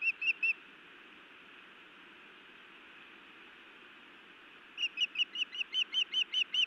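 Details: Female osprey scolding and then biting her mate at a Montana nest, evening in late May 2017: three shrill chirps, a silent gap, then an accelerating string of about eleven loud, ringing chirps.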